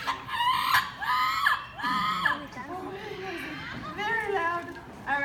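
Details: Moluccan cockatoo named Baby, in training for a zoo bird show stage, screams in loud, ringing, rising-and-falling bursts, about five in as many seconds, with a presenter's voice faintly underneath.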